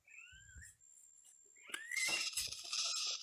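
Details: Parakeets (maritacas, locally called tiriba) in the rural Brazilian interior, possibly bathing near a mango tree, give a few rising whistles, then burst into fast, harsh, screechy chatter, with a thin steady high whine underneath.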